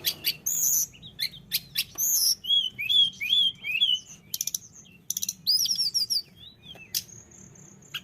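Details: Tledekan gunung in lively song, mixing very high thin chirps with wavy whistled notes, fast trills and a long steady high whistle near the end, over a low background hum.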